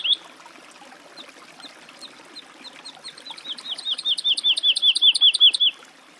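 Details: Woodlark song: after a faint opening, a series of short whistled, rising-then-falling notes speeds up and swells into a loud, fluid run of repeated liquid phrases, then stops abruptly. A soft trickling background is heard throughout.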